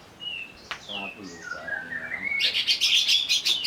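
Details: Greater green leafbird singing while agitated after provocation: gliding whistled slurs step downward, then break into a rapid, buzzy, rattling trill.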